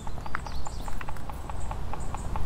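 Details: A woodpecker, heard but unseen up in trees at Constitution Park, Cumberland, Maryland, USA, on 2 July 2021, taps in short, dry knocks, several per second at an uneven pace, over a low rumble of wind or handling noise; finding: woodpecker.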